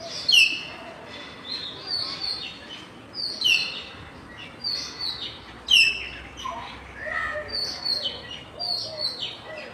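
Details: Common hill mynas among campus birds in afternoon light on 6 February 2024: three piercing, downward-sweeping whistles spaced roughly two to three seconds apart, set against high twittering and chirping from other birds.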